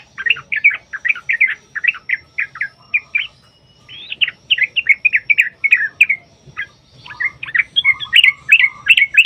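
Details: Yellow-vented bulbul in a long, rapid 'ropel panjang' song used as a lure to make other bulbuls sing: continuous bubbly chattering phrases with brief breaks, rich and varied throughout.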